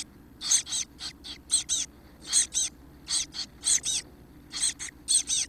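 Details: Seventeen-day-old Chestnut-backed chickadee nestlings, close to fledging, give short sharp hissy squeaks, mostly in pairs, spaced by short quiet gaps, high and thin, with a soft low hum in the background.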